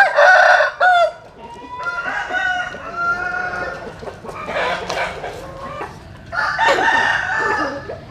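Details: Roosters crowing at early dawn while sunning in the morning; a loud drawn-out crow opens, then several more crows from other birds overlap and fade, with distant crowing behind.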